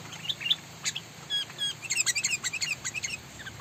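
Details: Sooty-headed bulbul from Sumatra, Indonesia, giving a fast run of short, sharp chirping notes that speed into a busy chatter, over a low steady hum.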